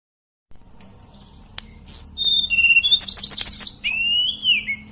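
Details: Sunda robin, locally called tledekan, singing steadily: after a quiet start, a high thin whistle, then lower sustained whistled notes, a burst of rapid buzzy high trill notes, and a long rising-then-falling whistle at the end.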